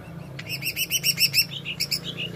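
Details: Greater green leafbird song in the jamtrok wik wik style: rapid run of bright, repeated whistled notes rising and falling, with higher ringing overtones and a steady low hum underneath.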